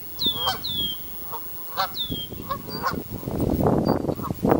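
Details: Families of Canada geese honk with short, abrupt notes, together with thin, high, falling whistle-like calls and heavy background noise that swells toward the end.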